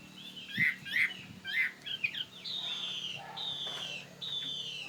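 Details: Fighting-type Chinese hwamei from Northwest Vietnam, tame and kept in Saigon, gives several short rich warbled notes, then three long, clear, level whistles; low hum in the background.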